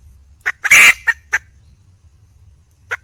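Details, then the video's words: Red junglefowl hen calling for a male: a few short clucks around one loud, grating squawk, then silence until a last single cluck. "le bruit d'une poule sauvage,เสียงไก่ป่าร้องหาถู่หาตัวผู้,ສຽງໄກ່ປ່າຮ້ອງຫາຄູ່ຮັກ, poj qaib qus see"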